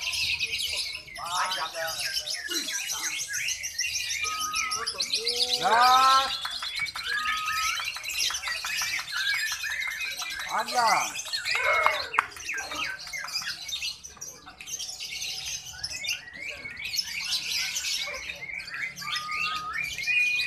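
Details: Lovebirds chirp and trill rapidly in a busy chorus at a lovebird singing competition in Antirogo, Sumbersari, Jember, East Java, Indonesia, with human speech and crowd noise around them.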